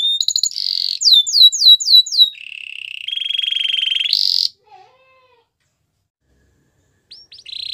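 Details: Canary training song: clear high phrases, a run of repeated down-slurred whistles, then a long buzzy trill rising at its end, a brief silence, and a new trill starting.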